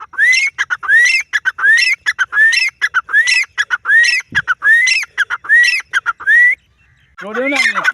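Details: Female Grey francolin giving a loud, rhythmic call: a rising squeaky whistle alternating with rapid harsh notes, repeated about nine times in six seconds, then a pause and a rough downward-sweeping squawk.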